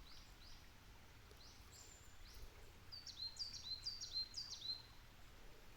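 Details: Song of a coal tit: a brisk series of high, piercing two-note phrases repeated around five times, preceded by fainter high chirps from other birds and steady low ambient noise.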